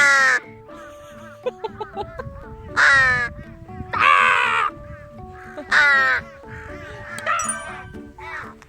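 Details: Parent crows give harsh, hoarse caws in drawn-out bursts every couple of seconds, growing loud and insistent, while defending a grounded, flightless chick that a person has taken in, over steady background music.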